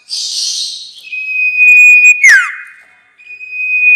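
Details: Sirtu bird lure for trapping: a hissing high burst opens, then a long level whistle, one sharp falling sweep and a return of the steady tone.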